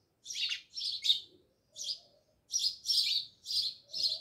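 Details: House sparrows beside a village house in Jamnagar chirp loudly, three quick notes, a pause, one chirp, then four steady chirps in a row.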